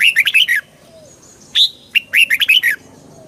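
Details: Red-whiskered bulbul, played to make birds lively; two fast, bubbling phrases of rich whistled notes separated by a single sharp rising chirp.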